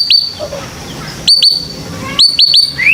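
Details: White-rumped shama chirps from a lure to get young birds singing: short, sharp notes dropping in pitch, in groups of two and three, ending with a brief rising whistle.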